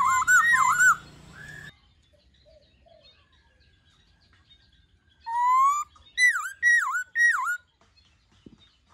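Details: Black-throated laughingthrush, a kept songbird, giving forest-style song meant to coach young birds: a burst of warbled whistles, a long quiet gap, then a rising whistle and three loud dipping notes.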